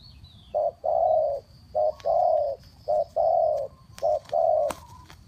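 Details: Spotted dove from Ninh Thuận calling to bring other birds down. Two-note coos, a short note followed by a long, steady, hollow one, repeated roughly every second and a quarter over a steady high whine and background noise, with a few sharp clicks.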